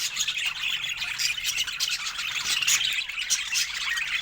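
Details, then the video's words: Budgerigars chatter while sharing fruit, an unbroken stream of high, buzzy warbles and short chirps from several birds overlapping at an even loudness. "Cute Budgies Sharing Fruits with Funny Happy Sounds"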